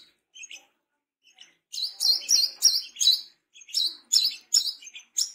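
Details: Brown-throated sunbird, tame and vocal, starting with soft scattered tweets, then bursting into a fast series of loud, thin, high-pitched slurred chirps.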